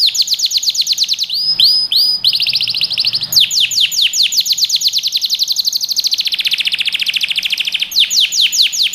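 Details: Varied canary song for teaching young birds, with fast high trills, a few brief up-swept notes, a lower buzzy warbling stretch, and then rapid falling sweeps again.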